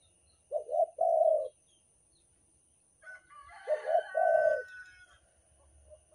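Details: Spotted dove, Banten type, giving its lure call: two low hollow coo phrases, each a stuttered note into a longer held one, with a harsher higher call from another bird overlapping the second phrase.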